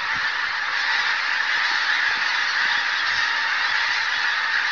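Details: Pink-footed geese near Martin Mere, just flushed by a buzzard: a dense, continuous wash of overlapping high honking calls from many birds. No single voice stands out and there are no pauses.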